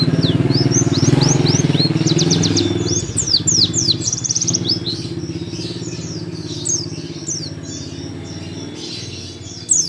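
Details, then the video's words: Oriental white-eye (pleci paud) singing in nembak style at home, tutor recording: rapid series of high slurred whistles and quick trills, masked by a steady low motor drone throughout. "PLECI PAUD NEMBAK LUMAYAN BUAT MASTERAN DI RUMAH"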